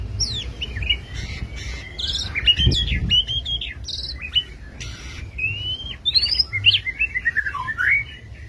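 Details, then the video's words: White-rumped shama of the Medan type in rich varied song: rapid high whistles, sweeping slurs and clipped trills in quick changing phrases. A low hum and a brief thump sound underneath. "Burung murai batu medan"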